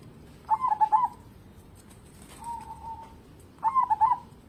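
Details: Cooing of a local zebra dove kept as a lure bird: two quick rippling trilled phrases with a long soft steady coo between them, gentle and low against quiet background noise.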